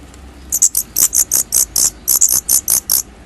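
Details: Daurian redstart fledglings leaving the nest for the first time call in rapid, sibilant high notes, about five per second, clear and loud against a quiet background.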